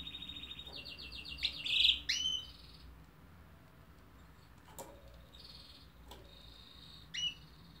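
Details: A canary (Serinus canaria) sings rapid trilled phrases, fast repeated notes rising into a loud buzzy burst, then quieter rolling trills and sharp chips after a pause.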